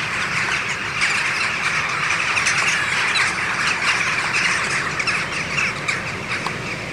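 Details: Hundreds of western jackdaws arrive in the morning from their roosts at Ringenberg Castle and fly around an early rainbow. They give short, sharp 'tchak' calls overlapping about twice a second over steady wind hiss and distant traffic.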